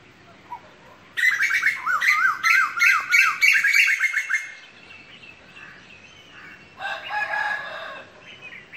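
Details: Asian koel delivering a loud three-second burst of piercing, rapidly repeated chattering notes. Afterwards quieter, buzzier calls from farther off are heard faintly.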